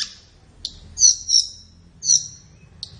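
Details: Flowerpecker song used for training captive birds: sparse, buzzy, very high chirps, mostly doubled, spaced roughly a second apart.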